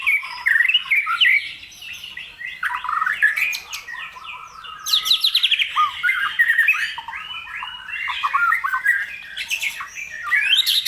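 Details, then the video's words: White-rumped shama singing at length to provoke other birds: a rich, fast stream of varied whistles, chattering notes and sharp rising sweeps, bursting louder at intervals with high squeaky flourishes. "Burung Murai Batu Gacor pancingan emosi burung bahan"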